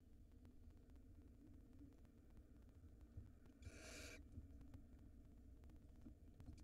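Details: In a nest watched by a live camera in Israel, a barn owl nestling swallows a rodent; one brief, harsh hiss of about half a second breaks an otherwise quiet, humming scene.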